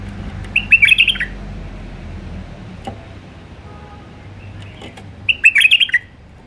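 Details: Alwazi-style song of a wild Iraqi White-eared Bulbul: two matching phrases of fast, bubbling whistled notes, about four and a half seconds apart, with soft low hum between them.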